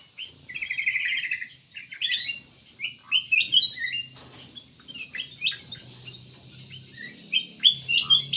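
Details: Busy song of a cucak emas (kutilang emas): a warbled opening phrase, then many short chirps and rising whistles tumbling quickly, with a soft low hum underneath.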